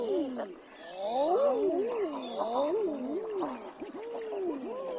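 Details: Several Common Eiders, males and females, in a small Cape Cod harbour at low tide on a freezing autumn morning, give overlapping mellow cooing calls that rise then fall, each about half a second, in a steady chorus.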